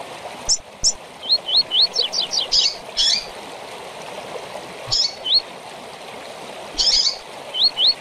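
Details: Double-collared seedeater's tui tui style song with chirps, used for training young birds: short upswept whistles repeated in threes near mid-high pitch, sharp high chirps and a quick descending trill, over steady running-water hiss.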